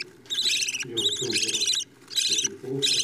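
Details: Budgerigar chicks fed by their parents make loud, coarse, buzzy rasps, each lasting nearly a second, in four bursts separated by brief pauses, with low muffled sounds under them.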